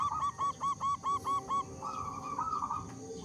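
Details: Local zebra dove with a big, frequently singing voice, used as a lure to get other zebra doves singing; seven short, evenly spaced clipped notes come in quick succession, followed by a softer drawn-out coo.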